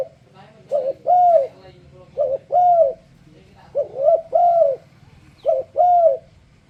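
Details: Turtledove luring song meant to entice other turtledoves to sing along: repeated phrases of short cooing notes followed by a longer arched coo, each group roughly every one and a half seconds, with a low hum beneath.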